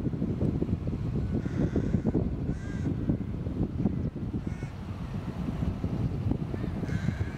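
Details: Rooks at a nesting colony with nests and young in trees in England, just before Easter; short harsh caws repeat every second or so over steady low wind rumble.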